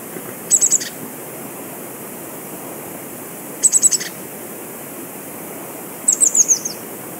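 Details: A Eurasian blue tit in Europe gives three short bursts of very high, thin, rapid notes, each about two or three seconds apart, the last falling slightly, over a soft steady hiss.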